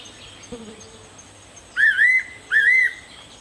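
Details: A fairy pitta calls in the morning, giving two clear whistled phrases less than a second apart, each dipping then rising. A faint low sound comes just before.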